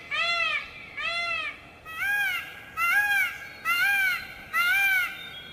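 Six loud, nasal, arching wails from a peafowl, each about half a second long, repeated roughly once a second over a faint background hiss.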